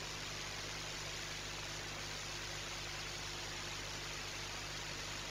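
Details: Steady, dense broadband hiss with a low engine-like hum throughout, and no animal voices.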